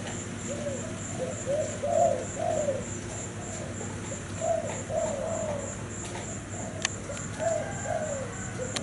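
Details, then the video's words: Cream Thai zebra dove cooing in short rolling phrases separated by pauses, each a rapid burst of low, bubbling notes, with a steady high-pitched whine and a few clicks behind. "Cu gáy thái bông kem siêu đẹp"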